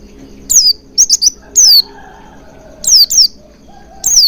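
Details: Oriental white-eye calls used as a lure to make caged birds sing: thin, high descending notes, single and in a quick triple burst, spaced irregularly, with faint low background hum.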